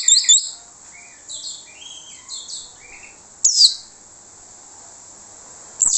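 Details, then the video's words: Orange-headed thrush song used as a lure so other birds answer: soft, sliding whistled phrases in the middle range, with loud, bright high bursts at the start, near three and a half seconds and at the end. "PANCINGAN ANIS MERAH MANTAP YANG LAIN LANGSUNG NYAUT"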